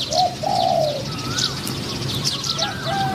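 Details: Spotted dove cooing during decoy trapping aimed at a wild dove of medium-pitched voice; a rolling coo phrase at the start, faint coo notes later, amid steady chirping of other birds.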